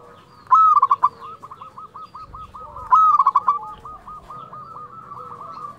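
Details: Local zebra dove in full song, used to stir up quiet caged doves: a fluting coo that rises then breaks into quick bubbling notes, given twice, with other distant dove coos and low background rumble throughout.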